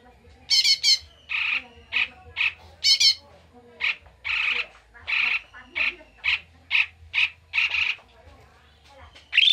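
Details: Agitated ngamuk calling of a koto or cucak mini bulbul as a lure: a couple of high chatters followed by a steady series of buzzy, scolding notes repeated roughly every half second.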